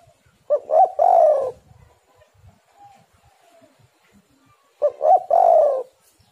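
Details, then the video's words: Spotted dove, recorded to lure other doves into calling. The phrase is repeated twice, about four seconds apart: two quick short notes, then a long, throaty, slightly falling coo. Faint coos sound in between. "tekukur super gacor suara pancingan burung galau"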